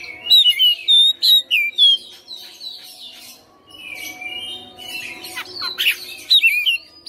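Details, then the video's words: White-rumped shama kept at home as a persistent fighter, singing loud: a quick series of bright whistled slurs repeated several times, then quieter scratchy mimicry and harsh notes, ending with rising whistles. "KACER RUMAHAN FIGHTER NGOTOT | GACOR | BONGKAR ISIAN"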